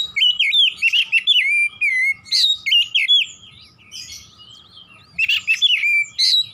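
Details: Oriental magpie-robin, singing vigorously in 'nembak' style: rapid strings of looping, warbled whistles with quick up-and-down slurs, with a brief quieter scratchy passage between phrases.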